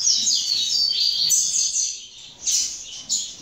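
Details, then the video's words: Fledgling double-collared seedeater, second generation, delivering dense rapid high chirps that fade, then two separate short sharp notes. "FILHOTE DE COLEIRO"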